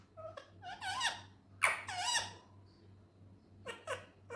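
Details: Talking Indian ringneck parrot: nasal, harmonic word-like syllables with bending pitch, a loud cluster in the first half, a pause, then a few more short sounds; low background hum.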